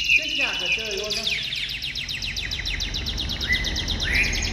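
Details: Caged Chinese hwamei in full voice right after uncovering: rapid, evenly repeated high notes in a long run, framed by clear whistles, with human speech heard underneath.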